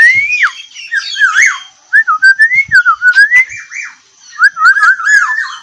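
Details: Black-naped oriole whistling its characteristic fluty song in a tight, rapid style: looping slurred whistles that swoop up and down, with a fast burst of short repeated notes in the middle and a final warbled phrase.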